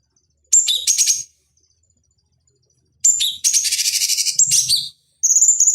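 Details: Two short whistle-and-rattle phrases from a cucak cungkok bulbul, used as a lure for training fighting birds, then a longer chattering trill and a final high whistled run.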